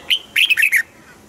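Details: Red-whiskered bulbul phrase used for exciting caged birds: one clear whistled note followed by a quick string of four bright, slurred notes dropping in pitch, all within about a second.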